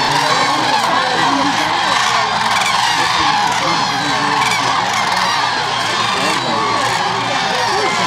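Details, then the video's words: In winter at Agamon Hula Lake, Israel, a dense chorus of common cranes recognise the arriving feeding tractor and call each other with loud, rolling bugled calls over one another, with engine hum and faint voices underneath. "Here they recognize him, and they come. They call each other, you can hear for yourself."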